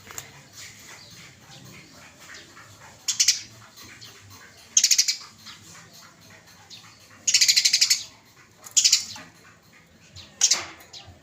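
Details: Judges' pick of masteran recordings of small cage birds: five separate bursts of high, buzzy, rapidly pulsed chatter, each under a second long, spaced by quiet gaps of one to two seconds.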